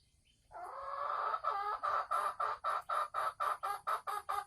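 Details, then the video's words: Caged female Sumatran red junglefowl about to lay eggs, giving the cackling call: a long harsh opening note, then a steady run of loud, clipped, nasal cackles at roughly two to three per second. "Suara ayam hutan merah Sumatera Asli saat mau bertelur"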